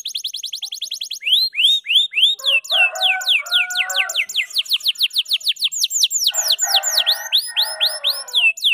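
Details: Canary of the F2YS line in long continuous song, a master recording for tutoring other birds: a fast stuttering trill opens, then steady rows of quick downslurred whistles with buzzy rattling passages underneath.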